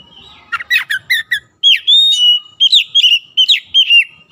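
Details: Oriental magpie-robin lure song for sluggish, mute birds: rapid, scratchy chattered notes give way to a long, pure whistle, then a rhythmic run of repeated, looping whistled phrases.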